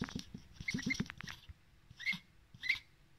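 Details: Thin high begging peeps from a pet male duck wanting more breakfast salad, two clear rising squeaks after a flurry of feeding clicks and softer chirps.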